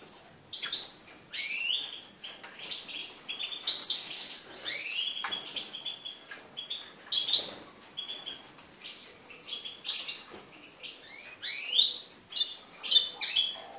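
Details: European goldfinch recorded on 4 February 2018, singing a fast, liquid twittering song of high chirps, trills and quick rising and falling slurred notes, delivered in bursts with brief pauses over a faint background hiss.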